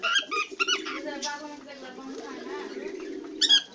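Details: Cockatiel singing, with a few sharp chirps at the start and end around a stretch of warbling, babbling notes.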